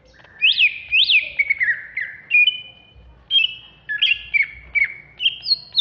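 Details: Greater green leafbird from Alas Purwo, a contest-ready caged bird in Jatiasih, Bekasi, singing agitatedly: loud peaked whistles rising and falling, buzzy slurs, then level and stepped whistled notes.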